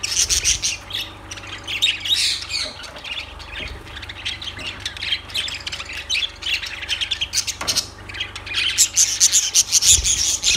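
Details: Shrill squawking and chirping from lovebirds, rapid and uneven at roughly three notes a second, growing busier toward the end, with a low hum beneath.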